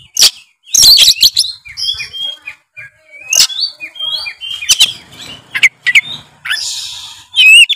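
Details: Oriental magpie-robin singing in full voice, used to provoke a lazy bird into song: sharp clicks and harsh bursts mixed with short whistled notes near the middle, then a rasping burst and rising whistles at the end.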